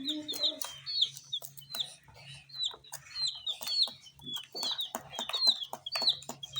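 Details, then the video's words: Tiny coloured chicks eating spicy Sun Poppers make overlapping high-pitched peeps, short and slurred, almost two each second, with clicking pecks and a faint lower note at the start. ""Chicks Chirping" sounds"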